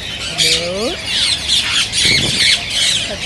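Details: Green ring-necked parakeets calling to prompt singing and mating: shrill overlapping chirps in loud bursts, plus a short lower rising squawk early on.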